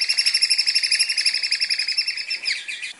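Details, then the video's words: Murai batu, the white-rumped shama, delivering a continuous high, fast chattering trill of evenly repeated notes for about three seconds, fading at the end, with faint background hiss; training audio for captive birds. "MASTERAN SPECIAL BUAT MURAI BATU BAHAN | WHITE RUMPED SHAMA CALL"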